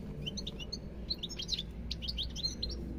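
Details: Goldfinch song as fast tinkling twitter, clusters of high sharp notes and quick slurred chirps packed closely, with a steady low hum underneath.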